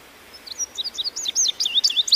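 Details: Indigo bunting singing a quick string of high, clear, slurred notes, many paired, some rising and some dropping, about a dozen in under two seconds against a faint background hiss.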